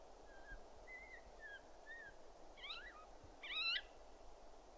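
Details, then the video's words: Siberian jay calling: a series of soft, short whistled notes at mid pitch, then a louder, rougher call with layered tones near the end, over a steady background hiss. "Голоса птиц. Кукша (Сибирская сойка) Perisoreus infaustus"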